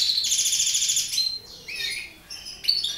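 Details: Mutation goldfinch in captivity giving a fast, liquid twitter of high repeated notes for about a second, then a few sliding chirps and a final sharp burst after a short lull.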